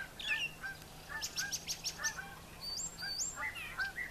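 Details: Morning song of a male brown thrasher around brushy farm-yard nesting cover: a quick series of sharp repeated chips, then rising whistled slurs and varied notes, over a faint low hum.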